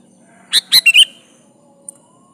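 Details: Sooty-headed bulbul, called kutilang, singing briskly to call a rival: one short burst of four loud, bubbly chirped notes, the last a quick warbled phrase, then near silence with a faint click.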